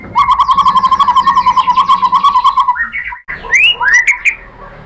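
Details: Murai batu (white-rumped shama) provoking song: a steady rapid trill lasting nearly three seconds, then a short break and several loud upswept whistles.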